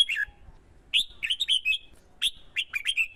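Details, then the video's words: Male red-whiskered bulbul in Vietnam, stimulated by a female to sing competitively and lure wild birds, gives loud ringing slurred whistles in quick bursts, several notes each falling in pitch, after a brief pause. "CHIM CHÀO MÀO KÍCH CHIM HÓT MỞ MỎ CĂNG LỬA HÓT ĐẤU"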